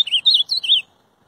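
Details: A short fragment of Ultramarine grosbeak song: four or five sweet, slurred notes in under a second, with a wavering, lilting quality, then silence.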